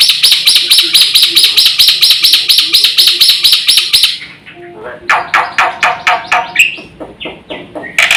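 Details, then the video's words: Black-winged myna in lively full song with fill-in phrases, used as a lure and tutor recording for training birds: a rapid run of harsh, buzzy repeated notes, then a pause and a slower series of loud rasping chips. "SUARA BURUNG JALAK PUTIH GACOR FULL ISIAN"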